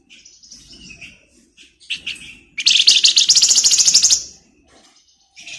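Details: A flamboyan bird sings as a master song for magpie-robins: soft whistled notes lead into a loud, fast rattling trill lasting over a second, followed by a pause and a new phrase.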